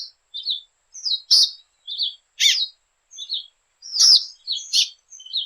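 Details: Latin American tanager chirping busily: high, slurred little notes alternate with louder sharp chips, a steady stream of varied tweets with short pauses, nothing else audible.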